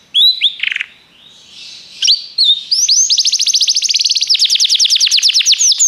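A Belgian canary sings a loud, high warbling song, opening with varied whistled notes and breaking into fast, rolling trills of rapidly repeated chips.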